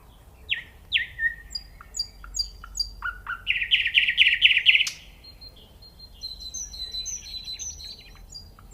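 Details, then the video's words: Nightingale song: two sweeping notes and a few scattered chips lead into a fast, loud trill. Thin high whistled notes repeat softly afterwards. "The nightingale singing"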